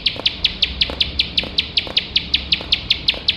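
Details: Bar-winged prinia (ciblek sawah) singing nonstop, used to train competition birds: rapid sharp chips around high pitch, about six notes per second in an even, unbroken series, over faint background hiss.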